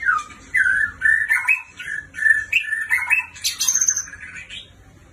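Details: White-rumped shama, described as an exceptional bird from a neighbouring country, singing rich varied whistled phrases that slide and warble between mid and high pitch, closing with a sharp high ringing flourish; a faint low hum sits beneath.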